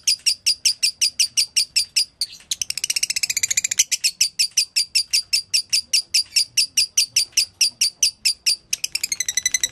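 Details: Lovebird giving konslet gacor song for training other lovebirds: sharp separate chirps repeated about two and a half per second, broken by buzzy, rolling rapid trills early on and again at the end.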